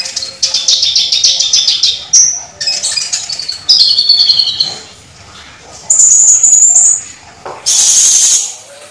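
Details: Olive-backed sunbird (konin) singing hard with rich filler phrases and cucak cungkok material: rapid chattering trills, buzzy high passages and sharp whistles tumbling one after another, then clear level whistles near the end.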